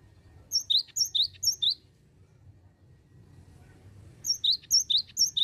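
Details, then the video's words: Continuous "bocor" singing of a Cinereous tit used as a lure. A run of four ringing high-then-low double notes comes about four per second, then a quiet gap with low murmuring noise, then another fast run. "BURUNG GELATIK BATU BOCORR OWORR OWORR//PANCINGAN GELATIK DI CARI"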